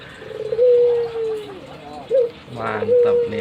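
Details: A long, smooth, gently falling coo from a pet albino Barbary dove bobbing its head, then a brief rising hoot, a short burst of other noise and the start of the next coo.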